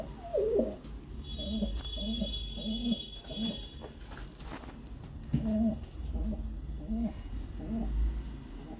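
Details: Pigeon at a nest where a chick is fed by regurgitation: soft, low coos repeated in a steady rhythm about twice a second, with a louder throaty burst at the start and a faint hum behind.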